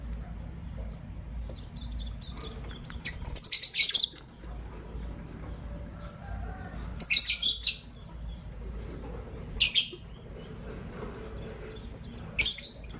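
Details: Morning chirping from caged lovebirds, a green Personata and a pastel white: bursts of rapid, shrill, high-pitched chirps, the first burst stuttering over about a second, then single sharp chirps every few seconds, over quiet hum.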